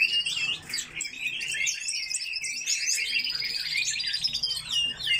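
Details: Caged coal tits in an aviary: high chips open the recording, then a long, fast trilled rattle runs for nearly two seconds amid continued twittering.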